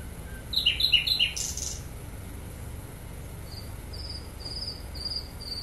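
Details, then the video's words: Sikatan londo flycatcher singing: quick chattering burst of high chirps, a brief hiss, then a run of thin high whistled notes repeated several times per second, over quiet low background noise. "sikatan londo gacor"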